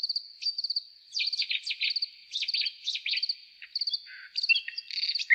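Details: Nightingale singing: varied phrases of quick chirps, short trills and a lower buzzy note, over a steady background of high repeated four-note chip groups.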